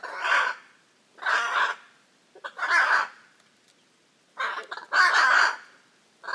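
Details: Hyacinth macaws, big parrots of the Pantanal, Brazil, calling in harsh grating squawks roughly every one to one and a half seconds, some doubled, across six seconds.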